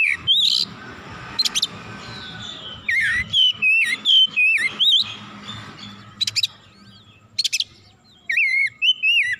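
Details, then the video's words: Oriental magpie-robin, described as agitated and heated, singing its full repertoire: loud whistled notes sliding up and down, interspersed with harsh broadband chatters, delivered in bursts with short pauses. "KACER GACOR MEMANAS NAIK EMOSI BONGKAR ISIAN"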